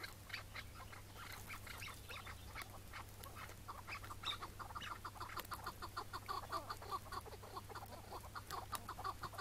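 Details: Chukar partridge of the Iraqi type during a morning capture in the May 2017 mating season: irregular clucks and rustles give way to a quicker series of hoarse chuk notes, with steady low mechanical hum.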